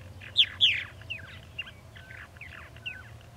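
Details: Purple martins at a nesting colony: two loud sharp chirps near the start, followed by softer gurgling, warbling notes and scattered chirps from several birds over a faint low hum.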